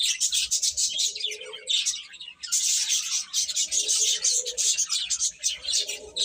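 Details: Baby chicks keep up loud, nonstop shrill chirping from many birds, briefly dipping near the middle before resuming at full intensity, with low murmuring notes beneath.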